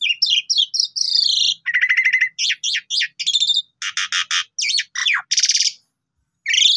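An Asian pied starling pours out a rapid, varied medley of whistles, harsh buzzy notes and rattling chatter, with barely a pause between phrases.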